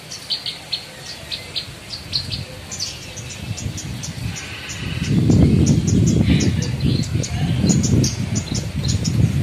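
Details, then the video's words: Caged branjangan, a Javan bush lark, performing bongkar isian among other caged birds: rapid repeated high ticking and whistled notes, joined midway by loud low rumbling noise that partly masks the singing. "BRANJANGAN OMBYOKAN BONGKAR ISIAN"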